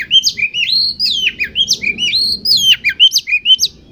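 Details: Oriental magpie-robin, or kacer, song used to stimulate competition birds to sing: rapid, varied, clear whistled phrases with rising and falling slurs and sharp high accents, delivered in quick succession without pause.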